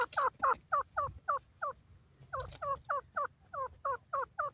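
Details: Grey francolin (teetar), described as a bird of Indian open country, giving a fast series of short, twisting, two-toned notes, about four per second, in two bursts separated by a brief pause, over a low background rumble.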